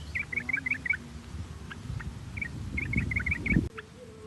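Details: Sooty-headed bulbul chirping used as a singing lure: two clusters of quick, bubbly paired notes, the first opening the clip and the second following a short pause, with low background rumble before an abrupt cut.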